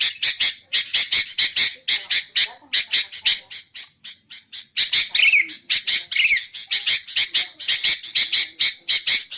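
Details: Sooty-headed bulbul for luring its kind and for songbird training: a long stream of scratchy, squawky notes, about two per second, with a quieter lull and two quick descending whistles later on.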